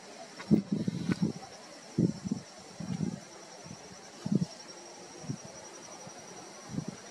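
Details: Maguari Stork at Laguna del Diario, Maldonado, Uruguay, December 2023, giving low, hoarse, breathy bursts in irregular short bouts, about one every second, over a faint steady high insect whine.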